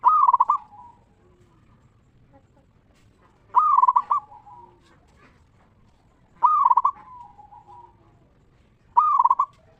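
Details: Ngeristal-style song of a local zebra dove, meant to get other zebra doves singing: four loud, rapidly pulsed cooing phrases, each ending in a trailing lower note, repeated about every three seconds.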